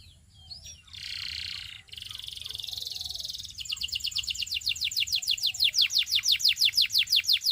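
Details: Belgian canary giving a short buzzy roll, then an accelerating rhythmic trill of sharp descending notes, about three a second, swelling steadily in volume.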